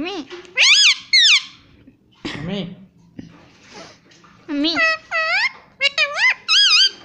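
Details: Indian ringneck parrot at home mimicking 'mummy' and 'papa': strident, wavering word-like syllables in quick bursts, a softer mumbled stretch, then a rapid run of bent, squeaky calls.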